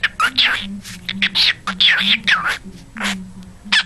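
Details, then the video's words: Pet male cockatiel singing Jingle Bells and talking, chattering in a burst of high, raspy, whistled speech-like syllables; it also wolf-whistles, says "pretty boy" and barks like a dog; low steady hum underneath. "cockatiel singing Jingle Bells and talking"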